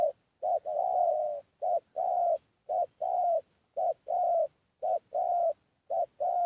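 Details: Lure call of a spotted dove used to provoke wild doves, low rounded coos in short-then-long pairs repeated steadily, roughly one pair per second, with quiet between phrases.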